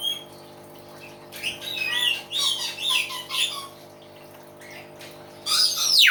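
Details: Loud common hill myna delivering a run of harsh squawks and chattering whistled notes in uneven bursts, ending with a sharp high descending swoop, a constant low hum underneath.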